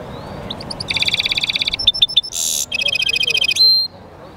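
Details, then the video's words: European goldfinch mule singing: a fast run of bright, evenly spaced chirps, then clipped high notes, a brief harsh buzzy burst and another rapid ticking trill ending in a thin whistle. "European Goldfinch mule singing"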